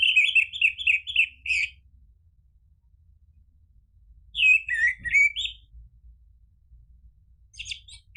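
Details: Orange-headed thrush singing in bursts, a lure to make kept birds reply and sing fluently: a quick series of five looping whistled notes, a long silence, then a twisting warbled phrase and a brief final fragment.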